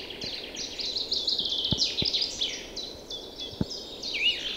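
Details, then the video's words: Early spring bird chorus in April forest and meadows beside an ice-free river in flood; dense, overlapping high trills and twitters run nearly nonstop, with a few sharp clicks and a soft background hiss. "Songs birds in early spring."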